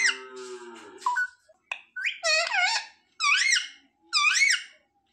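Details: Pet parrot mimicking "mummy papa" indoors: a few short notes, then three or four loud wavering speech-like syllables spaced about a second apart.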